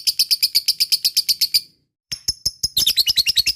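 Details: Fighter lovebird giving ngekek, a long chattering song meant to prompt silent lovebirds to sing: a fast run of sharp, high chirps, then a short pause before the rapid series picks up again and speeds into a denser chatter.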